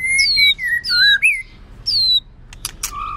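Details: White-rumped shama, a female singing to stimulate males during song training: clear sustained whistles, some falling and some rising, separated by short pauses, then a few sharp clicks and a low steady whistle.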